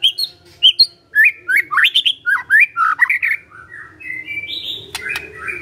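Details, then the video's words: Magpie-robin, a kept songbird, giving crisp whistled notes and quick rising slurs in a varied phrase, then sustained thin whistles ending with a sharp click. "Murai Nyaut Gacor"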